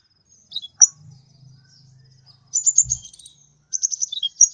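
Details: Kolibri ninja sunbird giving brief high chirps and quick twittering runs in chatty song, over a low humming drone and a single dull thump.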